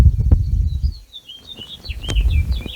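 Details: A House Finch at a thistle-seed sock feeder in a Zone 4 Midwest US garden sings a quick, jumbled warble of high, rising and falling notes, partly masked by low rumbling wind or handling noise.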